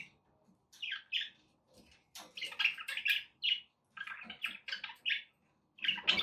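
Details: Budgies singing as company for a pet parrot, to prompt it to eat and sing: separate bursts of buzzy, nasal warbled notes and bright chirps, spaced by brief silences, over faint low background rumble.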